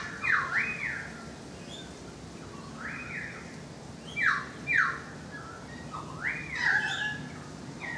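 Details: Balcony currawong song: clear swooping whistles that rise then fall, given in pairs and short bursts with gaps between, over faint background noise.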